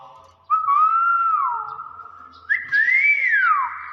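A Nias hill myna gives a long, pure whistle that swells and dips, then jumps to a higher note that rises and swoops sharply down.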